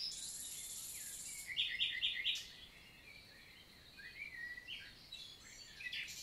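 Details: Common nightingale singing in daytime on a June 2023 summer morning, forest of La Vallée du Célé, Lot, France; a high hissing note, then a fast rattle of about six paired notes, followed by scattered softer phrases.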